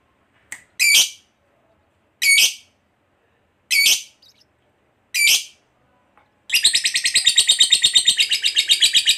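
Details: Fighter lovebird played as therapy to get silent lovebirds singing: four short harsh squawks about 1.5 seconds apart, then a long, fast, high chattering trill of evenly pulsed notes, about four per second, begins.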